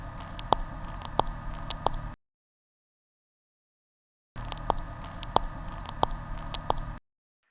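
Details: Chicken embryo clicking inside the egg, the clicks having a quiet inspiratory and louder expiratory component tied to breathing: sharp, dry ticks roughly every two-thirds of a second, in two short runs separated by silence, over a low hiss.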